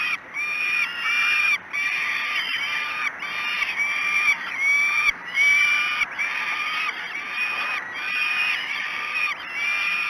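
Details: Peregrine falcon chicks at Great Spirit Bluff begging during a breakfast feeding, 06:54 on 5 June 2016; harsh, drawn-out screeching wails with a slight upward bend, repeated roughly once a second, several voices overlapping.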